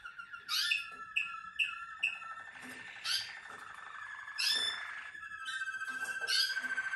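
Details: Malinois Waterslager canary from a breeding and selection line singing: rapid rolling trills around a steady ringing tone, broken by bright chirped notes repeated about every half second, then bursts of sharp high notes.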